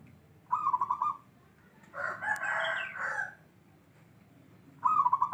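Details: Local perkutut (zebra dove) of the bedah karang type giving short rolling bursts of quick pulsed coos at the start and end, with a loud rooster crow filling the middle.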